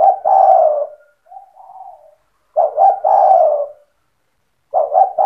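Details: Spotted dove singing persistently in the cetretan style, a recording used to provoke other doves into song: loud cooing phrases of two quick clipped notes and a long falling coo, with a softer, lower coo between phrases.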